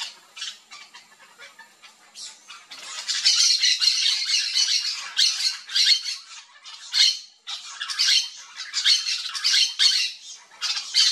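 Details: Backyard in Brazil with a flock of yellow-chevroned parakeets eating fruit; quieter scattered squeaks at first, then loud continuous shrill squawks and chattering in clustered bursts broken by brief gaps.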